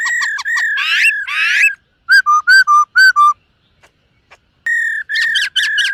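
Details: Black-throated laughingthrush in morning voice-training song: sweeping whistled phrases, a quick series of five short clear whistles, a pause, then more loud sustained whistled notes with a ringing, harmonic-rich tone.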